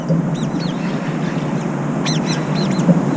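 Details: Brown-eared bulbuls fighting over a food bowl, trying to drive one another away from the feeder. Arched, downward-curving squealing notes come in quick pairs and triplets over a steady low hum.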